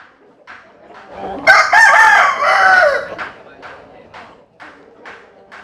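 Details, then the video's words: Rooster crowing in rural western Vietnam: one loud, harmonic-rich crow lasting about two seconds with a rising then falling contour, followed by softer short clucks and faint background calls. "Tập Hợp Những Tiếng Gà Gáy Rất Hay"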